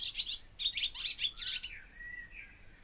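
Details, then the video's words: Barn swallow twittering in quick, high, scratchy bursts, ending in a long, smooth, slightly rising whistle. "O canto da ANDORINHA-DAS-CHAMINÉS/BARN SWALLOW SONG (Hirundo rustica)"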